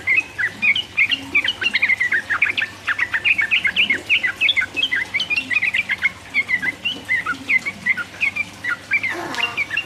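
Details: Energetic sooty-headed bulbul song meant to stir rivals, ropel 'uplik uplik' style: dense stream of bright chirps and warbled whistles, barely pausing for ten seconds, with a short harsh rasp near the end.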